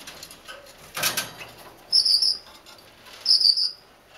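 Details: Female Gouldian finch giving two brief, thin, very high buzzy calls about a second and a half apart, following a short soft thump or rustle; otherwise quiet.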